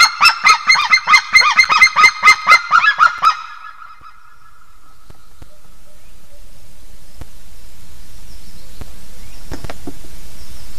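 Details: White-tailed eagle pair at their Estonian nest at dawn in March, calling together after mating: a quick series of ringing yelps for about three seconds, then the calls stop, leaving wind noise and faint sounds.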